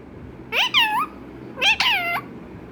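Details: Pet parrot indoors imitating a cat's meow, uttering two clear, harmonic meows about a second apart, each starting with a rising squeak and then levelling into a drawn-out wavering tone.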